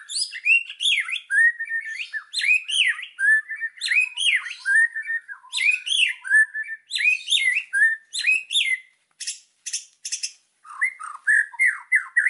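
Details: White-rumped shama in full song for training birds, packed with fill-in phrases: a long varied stream of swooping whistles, chips and scratchy notes, with brief pauses and sharp high bursts near the end.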